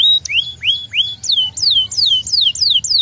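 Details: Canary song played to stimulate other canaries: repeated rising then falling whistled slurs, loud and clear, delivered about three times a second.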